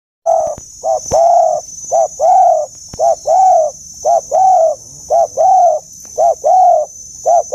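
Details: Dove cooing in a mature-voiced style known locally as giọng già rừng sát bổi: steady rounded coos pairing a short note with a longer swelling one, phrases repeating about once a second, with a faint steady high electronic whine behind.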